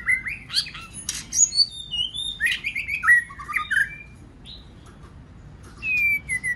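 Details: White-rumped shama singing a many-voiced song used to excite other shamas into song; loud fluty whistles, quick chattering trills and descending slurs for four seconds, a pause, then a long drawn whistle.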